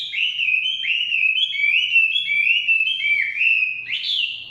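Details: Chinese hwamei song from the forest: a clean series of clear, slurred whistles about three per second, evenly paced, ending in a higher rising note.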